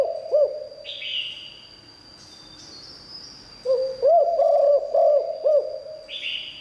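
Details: Decoy spotted dove singing liu tan style song: a single coo, a long quiet stretch with soft hisses, then a rapid run of deep looping coos, over a constant faint high whine.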